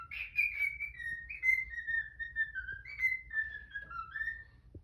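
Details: Pet cockatiel singing in the morning, a clean descending sequence of whistled phrases, each starting high and gliding lower, repeated several times in a quiet room.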